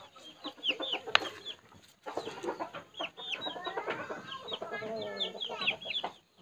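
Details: A pet Asian glossy starling, let out of its cage to play on the ground with chickens in a house yard by day on 6 September 2020, gives dense, squeaky whistles and harsh rising notes with a brief pause midway.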